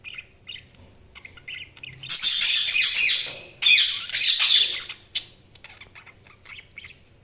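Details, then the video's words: Budgerigar chatter: soft, quiet high chirps at first, then two long, loud bursts of harsh, warbling, squawky twittering, followed by a single sharp note and fading soft chirps. "Budgies Sounds| Budgies Chirping sound"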